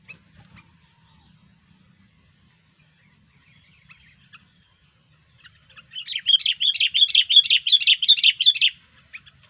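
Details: Sooty-headed bulbul (kutilang) in vigorous gacor singing: after quiet, a fast run of bright, bubbly whistled notes, about eight or nine in quick succession over roughly three seconds, with faint low rumble beneath.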